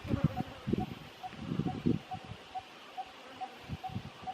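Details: Malabar barbet in Kerala, India, giving a steady series of short, hollow knocking notes, about two or three per second, evenly spaced, with rustling and low rumbling noise underneath.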